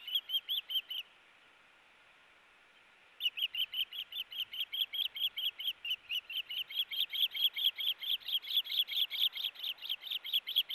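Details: Two nesting ospreys fighting over a fish, August 4, 2018: brief burst of loud high chirps, a pause, then a long insistent series of sharp whistles that speeds up and intensifies.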